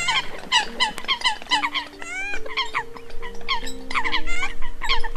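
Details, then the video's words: Lure recording of Eurasian coots for attracting migrating birds, 2020 season: quick, overlapping nasal squeaks and honks from a flock, repeated almost four times a second, over sustained flat tones. "Tiếng Sâm Cầm Bản Đầu Vụ 2020"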